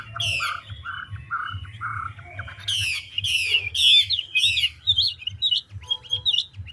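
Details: Chinese hwamei, large old wild-caught bird of the ngũ trường style, changing its song continuously: low hollow repeated notes, a burst of buzzy falling sweeps, then twisting high whistles, with steady background hum.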